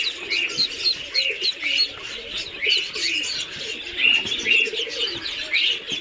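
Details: Muscovy duck chicks on a farm in Kamrup, Assam peep constantly, with many high, thin, overlapping cheeps running together over a softer low murmur.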